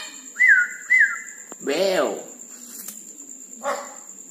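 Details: Red-breasted parakeet heard at night giving two quick looping whistled notes, then a rough arched squawk and a shorter harsh call, over a faint continuous high tone.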